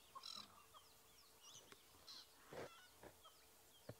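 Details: Drongos at sunrise on 5 May 2017 in Djuma Game Reserve give harsh, rasping bursts every second or so while mobbing a rare dark chanting goshawk, trying to drive the predator off; thin chirps and whistles from other birds in background.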